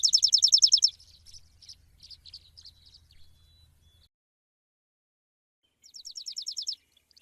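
Sparrow giving bright, rapid chirps in quick bursts of about nine notes, high-pitched and repeated, with softer scattered chirps and a faint low hum between.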